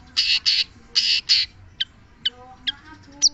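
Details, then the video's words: Long-tailed shrike giving harsh, grating buzzy notes, two pairs in quick succession, followed by widely spaced short sharp chips. "Burung cendet"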